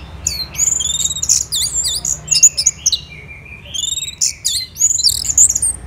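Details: Orange-headed thrush in strong song, Kubutambahan, Bali, morning: high buzzy trills and quick down-and-up whistled notes in dense phrases, with a faint low hum beneath.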